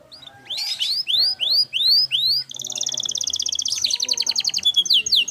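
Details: Kenari (canary) in a clear-voiced training recording: five loud rising slurred whistles, then a long rapid metallic trill with rolling buzzy passages.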